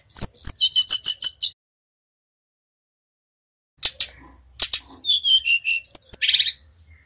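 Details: Lure song of a Bali brown-chested jungle flycatcher meant to make the bird sing: a burst of fast high chirps, a long silence, then sharp clicks, rising whistles and a buzzy ending note.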